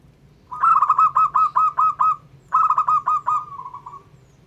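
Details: A local zebra dove sings to agitate rival doves. Two long runs of rapid, evenly spaced, bell-like coos, the second fading into a softer rolling trill, over a faint steady hum.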